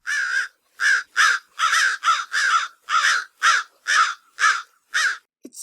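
American Crow giving a series of about ten loud, harsh caws, roughly two per second, each a clipped, slightly nasal 'caw' with no other sounds.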